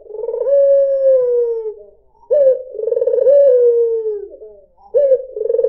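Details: A white dove (puter putih) sings, used to lure other birds. It gives a long sustained coo that slides slightly downward, then starts fresh phrases with an abrupt note followed by a burbling roll. Phrases come roughly every two and a half seconds.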